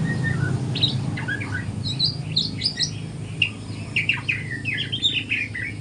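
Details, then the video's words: Morning singing practice by a juvenile white-rumped shama: dense, varied high chirps and quick warbled notes tumbling together, with a low droning background. "GACOR kicauan murai batu trotol pagi hari"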